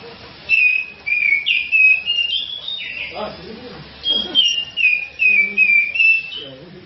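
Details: Grey-cheeked bulbul, a national champion songbird singing in full voice and used as a tutor and lure song: two bursts of clear whistled notes, each a run of five or six falling and rising slurs, with faint voices and low hum behind.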